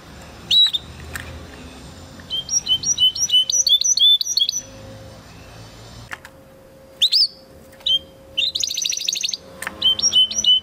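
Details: Training song of a Spanish Timbrado canary bred in 2020, in broken phrases: short high chirps and quick repeated-note rolls separated by pauses, over a low steady hum.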